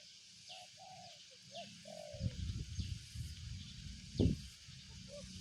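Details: Spotted dove giving a few hollow coos at the start, then low thumping and rustling noise takes over, with faint distant whistles from another bird and a high insect hum.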